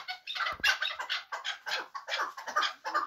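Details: Muminobod chukar partridge, a hunting bird, with quieter, irregular scratchy clucks and a brief knock early on.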